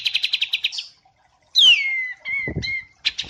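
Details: Bird song in a white-eye and kapas tembak mastering recording: a quick pulsing trill, a pause, a loud falling whistle that levels into a sustained note with a brief low flutter, then more trilled notes.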